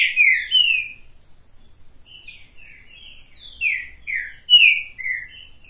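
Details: Perched on a hand, the green-winged saltator gives ringing downslurred whistles, two strong notes opening the phrase, softer middle notes, then another loud descending pair.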